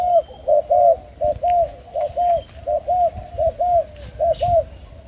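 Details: Captive Spotted Doves of Thai and Malaysian strains at a bird farm in Ca Mau, Vietnam, where pairs incubate and raise their own young; short, soft paired coos repeat rapidly and overlap, as if from several birds.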